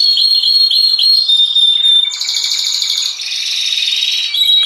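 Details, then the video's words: Canary singing as a lure recording: sustained whistled notes and rolling buzzy trills blend into a continuous high warble, slightly smeared with a faint low background hum. "Ampuh. !!! cocok untuk pancingan Burung Kenari bahan"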